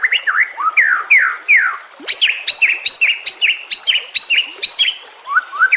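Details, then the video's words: White-rumped shama singing, a master recording for tutoring other cage songbirds: sweeping downslurred whistles followed by a steady series of sharp, rapidly repeated notes with high overtones, ending in short rising whistles. "Suara kicau burung murai batu. Masteran buat:cendet plentet trocok cucak ijo rowo jalak."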